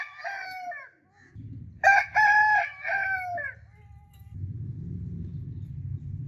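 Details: A rooster gives a full crow in several stressed, rasping syllables, with a trailing earlier crow at the start and a steady low hum of background noise before and after.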